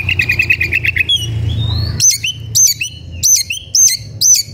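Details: Agitated white-rumped shama singing while seeking a rival to fight: a rapid stuttering trill of repeated notes, then loud, ringing whistled swoops repeated about every half second over a low steady hum.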